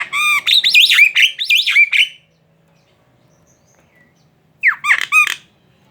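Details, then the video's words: Javan myna chattering song used as a lure to provoke other mynas into singing: a run of loud, slurred, warbling notes with sharp down-swept whistles, a pause, then a shorter burst of rising, squeaky phrases. "Suara burung jalak kerbau ngoceh | pancingan jalak kebo"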